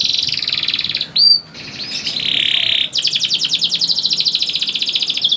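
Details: Young canary song to lure canaries into song: sustained buzzy rolling trill, a brief clear whistle, more harsh rattling, then a long, rapid, evenly pulsed trill.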